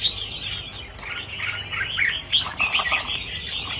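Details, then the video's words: Red-whiskered bulbuls, a flock of around a thousand released together, give a busy tangle of sharp chirps and quick whistled phrases, a few louder notes standing out near the end. "Phóng sinh 1000 con chim chào mào - chào mào căng lửa"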